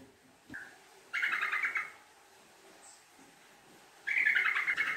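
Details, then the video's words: Lure recording of a Sooty-headed bulbul, a long, rapid 'ngekek' chatter. A short note comes first, then two bubbly chattering bursts of fast repeated notes about three seconds apart over faint background hiss. "Pancingan Trucuk Gacor Ropel Ngekek Panjang"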